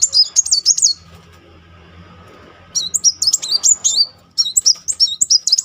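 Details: Muncang sunbird singing a rolling lure song to coax silent birds into song: three bursts of fast, very high, sharply wavering twitters with quiet gaps between them and faint low hum.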